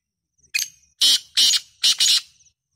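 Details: Black francolin, said to call in winter and summer, gives a grating phrase: one brief note followed by three loud, rasping, broadband bursts in quick rhythm, with no other sound.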